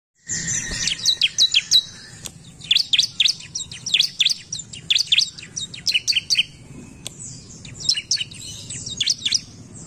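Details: Bar-winged prinia, agitated and singing back at a lure recording: dense bursts of high, sharp chirps and downslurred notes in quick runs, with a faint steady tone in the background.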